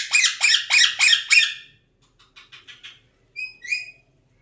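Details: Talking Alexandrine parakeet producing five harsh, grating bursts in quick succession, then a soft chatter of faint notes and two short high whistles.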